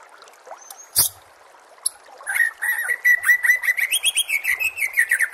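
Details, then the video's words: White-rumped shama master song for coaching murai batu, with nature sounds and water: a sharp click and a few soft notes, then a rapid, lively run of whistled and chattering notes. "murai batu anda dengar suara MASTERAN burung seperti ini"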